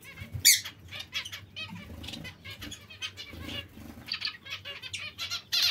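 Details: Zebra finch calls come in short nasal bursts, one sharp loud note at the start, then a busy run of overlapping chirps over faint low rustling.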